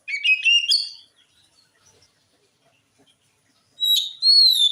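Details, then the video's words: Oriental magpie-robin song meant to make other magpie-robins respond. It opens with a burst of quick warbled whistles, falls silent for nearly three seconds, then returns with a loud, drawn-out rising whistle and a sustained clear note. "Suara Kacer Gacor ini Ampuh Bikin Kacer Bahan Langsung Nyaut"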